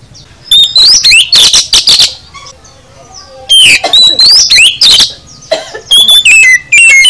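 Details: Oriental magpie-robin full song aimed at caged birds: loud rising whistles and harsh chattering bursts in two long runs, ending with clear repeated descending whistled notes.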